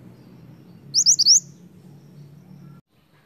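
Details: Snowy-browed flycatcher in lively song, played to lure others of its kind: one quick burst of four high, thin, rising whistled notes, with a steady low hum underneath.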